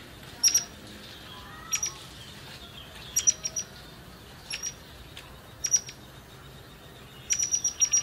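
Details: Forktail used as a lure for other birds to sing: thin, very high, clipped whistles with sharp ticks, given singly or in short clusters every one to two seconds.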